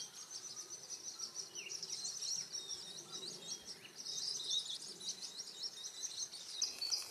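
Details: Varied sittellas during breeding in Australia's Capertee Valley, eggs through to fledglings; continuous high-pitched twittering chatter that swells and fades, plus one short lower slurred note near the start.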